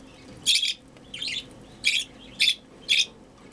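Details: A hand-fed budgerigar chick, hungry during feeding, gives five harsh, raspy, high begging squawks, each about a quarter-second long and roughly half a second apart.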